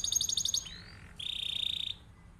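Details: Canary's rolled song, meant as a master for other birds to learn from: a fast stuttering trill, a short glide, then a steady buzzing roll held for about a second before fading out.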